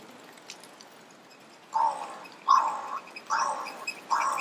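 A crow gives four harsh, hoarse caws, each about half a second long and spaced under a second apart, after a quiet start.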